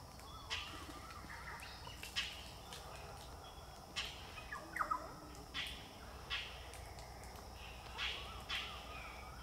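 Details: A flock of Galahs on a car park at Berry Springs Nature Park, Northern Territory, Australia, on 10-12-2023, giving harsh, screechy calls, some sharp and some drawn out, repeated every second or two over a steady background hum.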